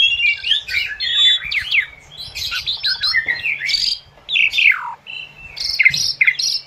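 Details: Asian pied starling, recorded to train captive birds, singing a dense chattering medley: squeaky, scratchy phrases and quick down-slurred whistles in clusters, broken by short silences, with a steady low hum underneath.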